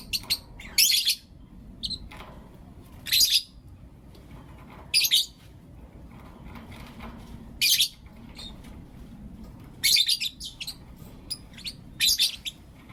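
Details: Pet lovebirds, blue opaline and lutino opaline, chirping in the morning: loud, shrill, buzzy chirps in short bursts roughly every two seconds, some doubled, with softer chatter between.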